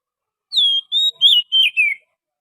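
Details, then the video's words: Wild forest Oriental magpie-robin song, used as a trapping lure: five clear whistled phrases in about one and a half seconds. The first slurs downward, later ones are level or warbling, and the last falls. The background is otherwise silent. "suara pikat burung Kacer asli hutan,suara pancingan kacer"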